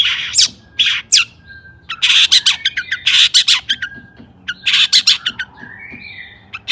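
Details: Long-tailed shrike in heated song meant to provoke rivals: loud harsh, squawking bursts and scratchy notes interspersed with short high chirps and a few whistles.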